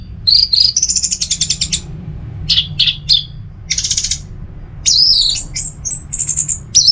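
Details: Orange-headed thrush singing indoors in a cage in Singaraja, North Bali, in the 'teler semi doyong' style. A varied fast song of rising whistles, rattling trills and buzzy notes, with short pauses between bursts and a faint low hum.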